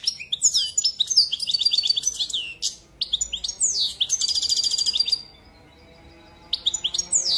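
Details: Twittering European goldfinch song in two dense phrases of chirps, descending slurs and a metallic rattling trill, then a few seconds of quiet before a short closing burst of notes.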